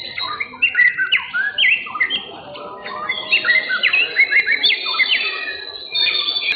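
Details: White-rumped shama singing at a bird-singing competition in Indonesia, 10 September 2023: varied whistled phrases, chattering notes and sliding tones in quick succession, with several other birds singing at once and a crowd murmuring beneath.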